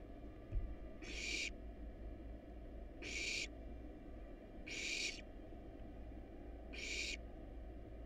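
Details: Wild barn owl nestlings, hungry and being fed rat and rabbit inside a nest box, make four drawn-out rasping hisses about every two seconds over a steady low droning hum.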